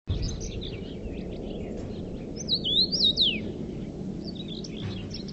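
Common Redpoll giving a bright, quick twittering phrase that swoops up and down, over faint chirps from other birds and a low steady rumble.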